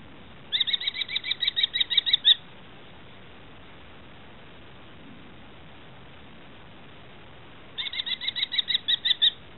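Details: Common kestrel chicks recorded 13 July 2013, giving two bursts of quick, shrill, evenly repeated notes, each a dozen or so calls that build in loudness, separated by about five seconds of quiet hiss.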